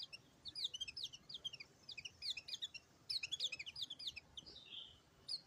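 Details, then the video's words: Energetic white-eye song: bursts of rapid, high, chirpy twittering separated by brief pauses, ending with a softer, drawn-out slurred note and a final chirp. "BURUNG PLECI"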